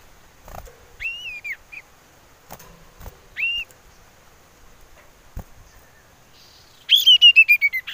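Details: Common iora, described as a female calling in the wild, recorded as a lure: two clear, arching whistled notes with a short pause between, then a fast, descending series of bright whistled notes, with scattered clicks in the background.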